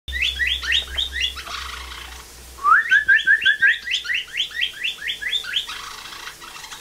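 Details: Rehabilitated blue jay imitating a northern cardinal's song, kept alongside a cardinal: series of rapid downslurred whistled notes, then a rising slurred whistle followed by quick repeated chips, then more fast downslurred notes.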